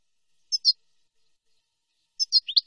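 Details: European goldfinch, recorded cleanly for training young birds in nahrat and taqasim song: paired bright chirps, a pause, then a quicker run of chirps sliding downward and up again.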